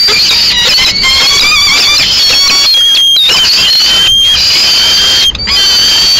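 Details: Solitary peregrine falcon chick begging in Madrid on 22 May 2016 while the female eats a swift the male delivered; continuous loud, high, thin wailing with sliding pitch, broken by short gaps.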